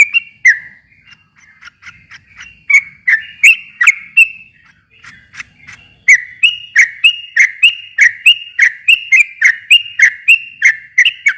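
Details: Sooty-headed bulbul singing long, lively song phrases, used to lure a silent bulbul into singing back; rapid, bubbly whistled notes repeated in quick succession, brief pauses, then a sustained run of rolling phrases.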